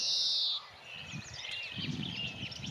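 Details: At Paxton Pits near the Heronry Lake on 13 May 2018, a European greenfinch gives its loud, buzzy, high chirr lasting about half a second, followed by softer twittering from other small birds and light outdoor rustle.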